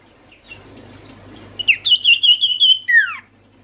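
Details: Common iora lure call meant to get silent birds calling: after soft murmuring, a rapid run of high trilled notes holds steady, then ends in a quick descending slur, over a faint low hum.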